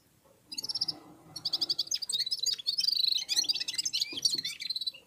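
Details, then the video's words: Red-fronted serin warming up in song: after a short pause, a fast, lively high twittering builds into a continuous jumble of chirps and trills that runs to the end. "Попели поели и опять попели в Унисон Красношапочные вьюрки"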